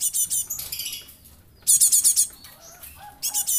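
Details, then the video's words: Java sparrow youngster kept for luring, with a dense run of high metallic chips, a brief silence, then a loud burst of six rapid piercing chips. Softer lower twitters follow before the chipping resumes. "Glatik anak,an pancingan"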